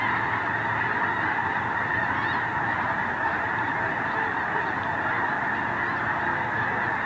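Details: Massed geese at an iced-over Squaw Creek National Wildlife Refuge in Mound City, Missouri, at dark, overcast dawn before their morning flight to feeding fields; countless honks merge into a steady, roaring wall of calls.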